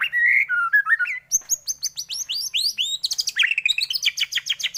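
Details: White-rumped shama song used as a lure to stir other shamas into singing: rich slurred whistles, then a long fast sequence of high sweeping notes and dense rapid trills, with a faint low hum throughout.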